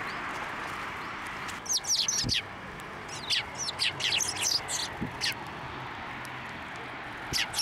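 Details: Sparrows flying onto a hand to be fed at a Tenmangū shrine on 18 January 2024; bursts of sharp, high chirps and tweets cluster in two busy spells, then a few scattered notes over a steady background hiss.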